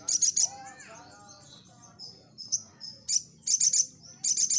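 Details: Little spiderhunter in gacor form as a response lure: short bursts of very high rapid notes at start and end, with softer lower warbling and thin whistles between.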